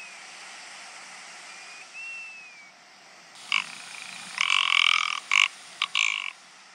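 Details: Rock ptarmigan in courtship display, a harsh belching rattle of several loud grating bursts of uneven length near the end, after a faint thin whistle from another bird and a soft click series, over steady hiss.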